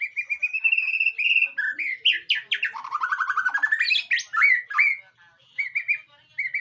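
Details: White-rumped shama training song intended to prompt a reply: a long steady whistle, then rapid buzzy trills and sweeping notes, ending in short repeated whistles after a brief gap.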